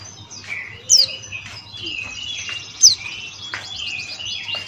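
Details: Buxtoni white-eye male giving open-beaked 'ngalas' song: high chirping phrases broken by two sharp, loud downslurred squeaks about two seconds apart, then a fast rattling run of notes, low hum in the background.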